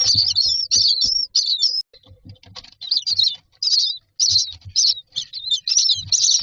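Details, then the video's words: Common myna chicks waiting in a nest box for food give harsh, buzzy squeals in irregular bursts, mixed with soft tapping and rustling thuds. "Myna chicks are standing in a row waiting for food"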